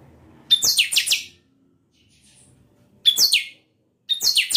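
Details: Chanchão from a breeding aviary gives three short song bursts. Each opens with a sharp high whistle, then three or four rapid descending buzzy strokes follow, with a quiet pause between phrases.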